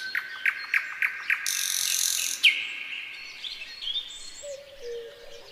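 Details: Common nightingale singing in a pine forest in spring 2024: a row of short sharp repeated notes, then a loud harsh burst and a bright upslurred whistle, followed by quieter scattered phrases and a low whistled note.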